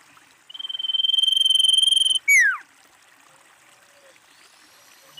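A female common iora gives a steady, high, rapidly pulsed trill lasting nearly two seconds, then a single sharp whistle that drops steeply in pitch.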